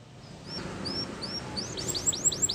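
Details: Canary training song: faint high whistled notes that speed up into a quick run of repeated downslurred sweeps, over a low background rumble.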